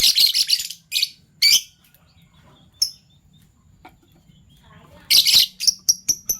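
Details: Fischer's lovebirds, a violet and a gold opaline euwing bird, chirping in the morning: bursts of harsh, buzzy, high chirps in quick runs, a pause with a few isolated notes, then a fresh volley of sharp chirps.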